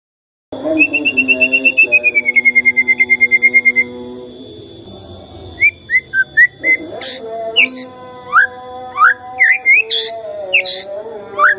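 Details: Morning White-rumped shama song meant to spur a quiet shama to answer. A pulsing, steady whistled trill lasts about three seconds, followed by scattered short upslurred and downslurred notes, some high and sharp.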